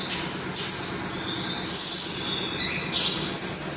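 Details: Orange-headed thrush in energetic song, giving bright, high whistled and squeaky notes in quick succession with brief gaps, against a faint low background hum.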